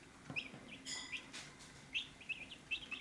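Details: Chicks at a feed dish give a few short, high peeps, scattered singly and in pairs across three seconds, with a brief sharp click near the start and a faint low hum underneath.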